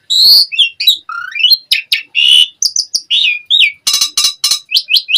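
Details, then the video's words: Asian pied starling singing 'gacor full isian', packed with variety: high squeaky whistles, a rising slide, buzzy rasps, three harsh crackling bursts and closing upswept chirps, delivered almost without a break. "Suara Jalak Suren Gacor Full Isian ANTI MACET Saat Musim Hujan/Kemarau Pancingan TERAPI Burung Jalak"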